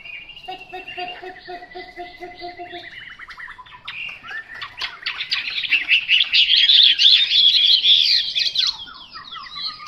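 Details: Chinese hwamei song: a soft steady tonal hum and faint notes at first, then a loud, fast jumble of whistles, trills and rapid chattering notes that swells in the middle and fades with descending slurred phrases.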